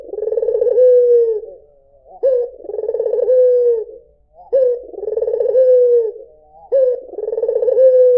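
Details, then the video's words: Low, mellow coos from a white Barbary dove come about four times, each a burst of pulsing, rolling sound that smooths into a sustained, slightly falling tone. Short silences separate them. "SUARA PUTER PUTIH || JERNIH 3 DETIK LANGSUNG NYAUT || SUARA BURUNG PUTER MERDU"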